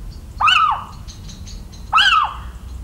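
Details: Little owl in the countryside of central France on 17 March 2019, giving two loud, nasal, mewing cries that rise and then slur downward, about one and a half seconds apart, with faint high chirps from other birds behind.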